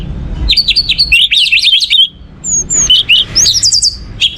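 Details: Orange-headed thrush singing, meant as a lure to set other birds singing: high, rapid chirping and whistled notes in quick clusters, with a short pause midway, then sharp rising whistles.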